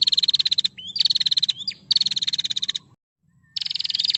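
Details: Female prinia calling, quickly answered by a rival: fast, even trills of high pulses, a brief upward whistle between them, a short silence, then the trill again.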